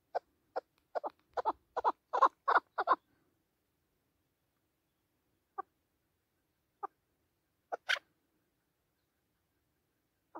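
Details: Chukar partridge kept for hunting, calling excitedly in the mountains: a quick three-second burst of dry clucking notes, then a few isolated chuks separated by pauses of a second or more.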